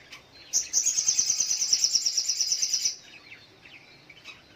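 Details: Little spiderhunter singing in the morning: a fast, even string of about twenty sharp, high chips, bunched tightly for over two seconds, then breaking off, with faint soft calls of other birds behind.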